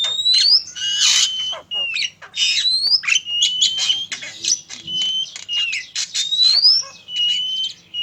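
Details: Oriental magpie-robin, male and female, used to lure birds: busy, varied song of harsh rasping bursts alternating with clear rising and falling whistles, almost without pause.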